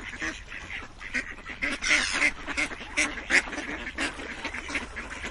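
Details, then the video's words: Ducks give loud, harsh quacks in clear separate bursts roughly every half second, over a softer background of more quacking birds. "Quacking Duck sounds"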